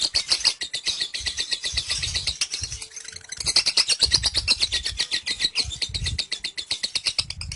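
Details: Lovebird performing ngekek, a long continuous chattering call lasting about 30 seconds with its head raised: a fast, steady stream of harsh, high repeated notes, several per second, barely pausing.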